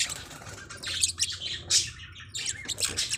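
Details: Forpus parrotlets, tiny hook-billed parrots, chattering in clustered high squeaky chirps separated by brief pauses, over a constant low hum.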